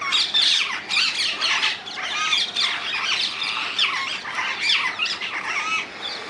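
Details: Wild rose-ringed parakeets from the Netherlands keep up a noisy run of rasping squawks and shrill chatter, with sharp louder bursts among overlapping calls.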